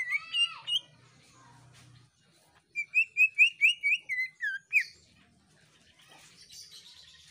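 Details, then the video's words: Greater green leafbird in full song, the shrieking type used to spur other birds into song. A complex twisting phrase opens, then after a pause comes a run of about nine rising whistled notes and soft twittering. "JERITAN Cucak Ijo Gacor, Bikin Burung Lain Cepat Bunyi Gacor"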